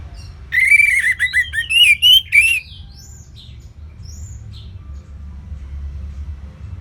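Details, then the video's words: Orange-headed thrush from Singaraja, Bali, in ngeplong song: a loud two-second string of rapid, scratchy, rising whistles with hard clicks, followed by a few faint thin whistles and quiet. "ANIS MERAH Ngeplong Lemas"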